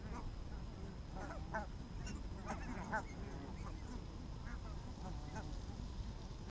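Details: Barnacle geese walking in the evening in Arabia, Helsinki, on 1 October 2014, give short yapping barks, several birds calling in loose overlapping bursts over a steady low rumble of background noise.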